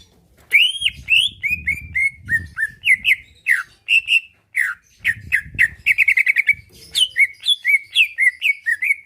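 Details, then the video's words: Caged greater green leafbird in full song to provoke reply and fighting: energetic string of loud chirped and slurred whistles, rapid trills and varied phrases, with soft low thumping sounds in the background. "Cucak ijo lain liat dan dengar kicauannya bakal nyaut+gacor+tarung"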